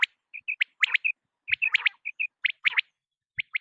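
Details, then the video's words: Quail voice at night: crisp chirped notes, often doubled or tripled, in irregular bursts about once a second, with brief silent gaps and no background noise. "بٹیر کی رات کی صاف آواز | Raising Batair Voice for Night | Quail Sound one hour"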